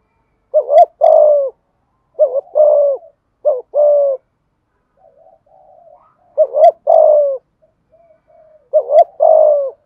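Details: Spotted dove cooing (gáy): clear, low, mellow hooting phrases of three to four coos, with the last note drawn out, repeated about every three seconds in a quiet setting with soft murmurs between phrases.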